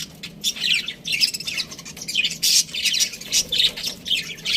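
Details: Budgerigar chirping: a steady run of fast, scratchy warbled chirps and squawks with no pauses, busy and chattering throughout.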